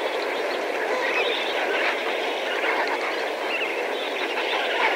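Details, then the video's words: A flock of several thousand Lesser Flamingos makes a dense, unbroken wall of overlapping nasal honks and gabbling murmurs, steady in level without a pause. "Lesser Flamingo / MP Flock Calls From Several Thousand."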